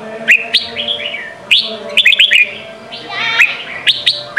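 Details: Whistled Sông Kon style song of a red-whiskered bulbul, a training song for young birds: quick chirpy notes and warbled swoops in steady succession, punctuated by sharp clicks.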